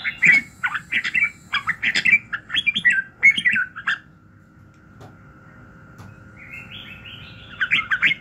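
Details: A red-whiskered bulbul sings in the morning for voice training meant to rouse other bulbuls; rapid chirpy whistled notes for four seconds, then near silence with a steady tone, then singing resumes.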